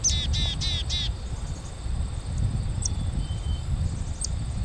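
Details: A black-capped chickadee calling from a nearby tree in summer 2011 gives four quick, buzzy dee notes, then a couple of thin, high single notes over a steady low rumble of wind or distant traffic; another chickadee calls in the distance.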